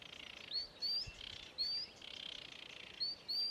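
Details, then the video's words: Sedge warbler singing at Ilmatsalu on 26 May 2017: sharp rising whistled notes alternate with softer buzzy, scratchy passages, several whistles repeated within a few seconds. "Kõrkja-roolind laulmas / Sedge warbler singing"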